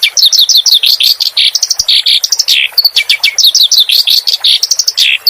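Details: Clamorous reed warbler, master song for caged songbirds: loud, fast sequence of sharp arched whistles and harsh chatter, repeated phrases without breaks.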